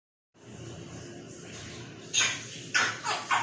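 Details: Grey parrot saying "how are you": four quick, bright, raspy speechlike syllables near the end, over a low indoor hum.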